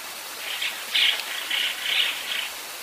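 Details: A Eurasian tree sparrow preening on a roof gives about five short, bright chirps in under three seconds, a couple slightly louder, over a steady hiss like light rain.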